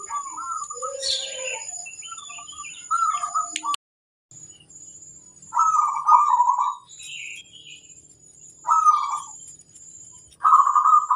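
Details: Local zebra dove singing as a tutor for other doves: separate trilled cooing bursts every two to three seconds, with small birds chirping and a thin high whine in the background.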